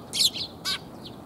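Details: Sparrows coming to be fed in Japan, November 2021: two bright, high chirps in quick succession, the first with a falling tail, over quiet background hiss.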